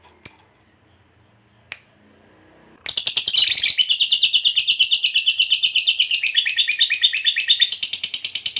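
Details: Fighter lovebird ngekek used as a provoking lure: two isolated sharp ticks, then a sudden, loud, sustained rapid trill of high buzzy pulses that continues unbroken to the end.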